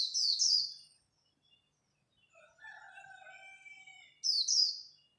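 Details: Khuyên líu song of a Japanese white-eye competing at dawn: a short, shrill, high twitter at the start and again near the end. A separate lower, drawn-out whistled warble fills the middle.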